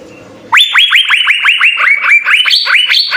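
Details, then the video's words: After half a second of quiet, a cucak biru (Asian fairy-bluebird) launches into rapid, clear, upward-sweeping whistled notes, about a dozen, rising slightly in pitch toward the end. "suara 3 CUCAK BIRU GACOR full isian SI BURUNG SURGA"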